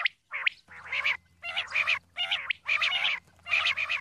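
A female common quail gives harsh, rasping notes in quick bursts, about two each second, over a faint low electrical hum.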